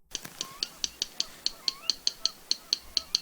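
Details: Yellow Rail, a secretive marsh bird, sings its song of dry, stony clicks like tapping stones, in twos and threes all on one pitch, about four per second. Faint slurred whistles from another bird sit underneath.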